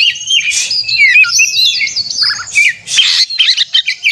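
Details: Excited 'konslet' song of a magpie-robin, used in contest simulation to trigger caged birds: sharp whistles and scratchy chatter, then several loud harsh bursts in rapid series near the end.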